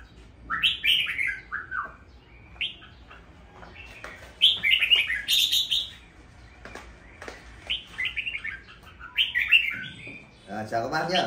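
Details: Caged red-whiskered bulbul singing indoors at home as bird feed is being packed, delivering rich, fluty warbling phrases with quick downward slurs, several bursts in succession, plus clicks and rustling near the end.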